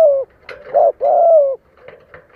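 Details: Decoy spotted dove meant to lure wild doves into fighting: a drawn-out falling coo, a short hoot, then another long sliding coo, followed by faint clicks and rustles.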